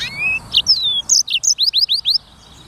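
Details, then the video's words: Black-throated canary, locally sanger, singing freely for clean training recordings: thin rising and falling whistles, a few buzzy notes, then six evenly spaced, curving high chirps delivered about five per second. "BURUNG FINCH EDEL SANGER / BLACKTHROAT Suara Gacor Materi 100% Jernih"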